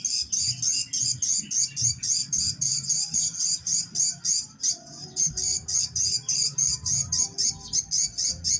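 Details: Swiftlets, Jember city, Indonesia, a location-check sound: steady stream of sharp, high clicking chirps pulsed roughly three or four times a second, fairly regular, with a low rumbling hum and faint tones underneath.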